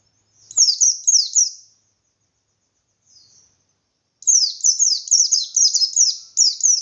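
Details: Indonesian white-eye singing insistently in the ngalas style to provoke other white-eyes: a short burst of high descending chirps, a faint note in the gap, then a longer, denser run of shrill slurred notes.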